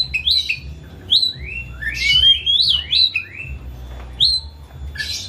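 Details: Pet Oriental magpie-robin kept at home, singing emotionally as a lure so a silent bird opens its beak: loud rising and falling whistles in a rapid varied series, over a constant low hum.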